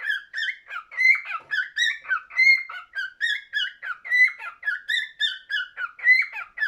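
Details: Cockatiel singing indoors: a steady run of whistled, warbling phrases around the middle range, notes rising and falling, repeated in short bursts under a second apart with brief gaps between them.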